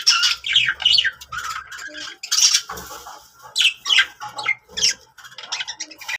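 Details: Cheerful pet budgies give bright, sliding chirps and whistled squeaks in quick clusters, mixed with scratchy chatter and a few soft low bumps.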